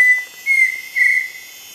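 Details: Pheasant Cuckoo, rare and secretive, singing from dense forest-edge undergrowth along Pipeline Road, Gamboa, Panama: clear, high whistled notes, each slightly higher and longer than the last, over a steady insect drone.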